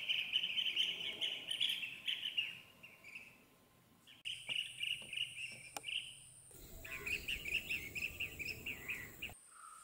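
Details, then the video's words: Bee-eaters give a busy chorus of rolling, liquid 'prrup' notes, several each second, with a brief buzzy hiss between edited sections. "BEE EATER BIRD SOUND|VOICE|CALL|SONG|صوت الورور|burung pemakan lebah"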